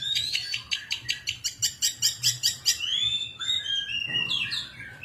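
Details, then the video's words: Untrained 'bahan' long-tailed shrike in lively 'gacor' song, opening with a rapid series of about fifteen sharp repeated notes, then drawn-out rising and falling whistles and brief chatter, against a low background hum. "Pentet Bahan Gacoorr"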